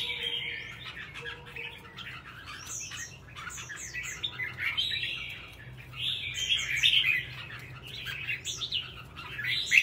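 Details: Kept red-whiskered bulbul in a long run of lively, chattering warbles with quick upslurred and downslurred whistles, phrases tumbling almost without pause and swelling loudest toward the end; a low steady hum underneath.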